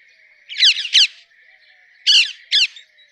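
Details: Two pairs of harsh, squawking notes from a rose-ringed parakeet, separated by a second of quiet with a faint steady tone behind.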